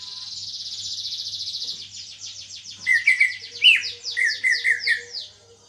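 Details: Greater green leafbird kept in a cage, newly singing after moult, its song said to differ from others: a fast rattling high trill, then a run of slurred rising whistles and buzzy notes.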